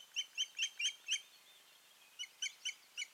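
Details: Osprey pair at the nest in Finland on 14 June 2019, after a failed breeding season; a series of sharp, high whistled chirps, about five in quick succession, then a pause and four more.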